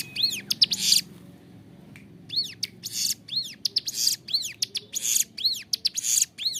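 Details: Bar-winged Prinia in lively, clear-voiced song meant as a training model for captive birds; high curved whistled notes mixed with coarse buzzing bursts, resuming briskly after a short gap.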